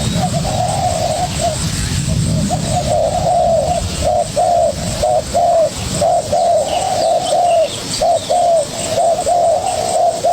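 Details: Spotted dove, young bird eagerly contesting a decoy, repeating low, mellow coo notes in a long, fairly regular chain of short hoots, about one per second, with some low background rumble early on.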